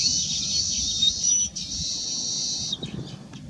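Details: Baya weaver of the nominate race, Ploceus philippinus philippinus, starting to build a nest, giving a dense high sizzling buzz with a few sharp whistled notes that stops abruptly near the end, above low steady background hum.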